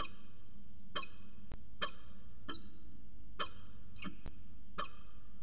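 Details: Peregrine falcon pair conversing at CSU Orange one afternoon in January 2019, with spaced single sharp, scratchy calls roughly every second, a steady low hum underneath and one faint click.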